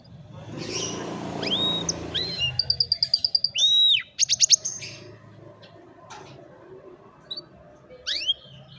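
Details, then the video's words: Canary song meant to train a lazy canary, phone recording: after a noisy start, a rapid pulsed trill, an arched whistle and fast sharp notes, then sparse rising slurs near the end. "Canción Canaria para Cantar Canario Perezoso Entrenamiento | Canary Singing"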